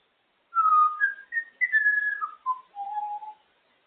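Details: Female African grey parrot, kept as a pet and enjoying time out of her cage, described as very talkative; a run of clear whistled notes over about three seconds, climbing in pitch, then stepping down to a lower, steady final tone in a quiet room.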